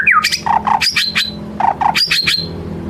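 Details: White-rumped shama lure song, "ngelemak" style, meant to prompt a full repertoire: a brief falling whistle, then harsh, scratchy bursts mixed with short whistled notes, in two similar rapid series.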